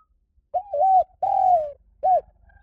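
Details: Spotted dove calling as a decoy sound to lure wild birds: three mellow coos, the middle one drawn out and gently falling.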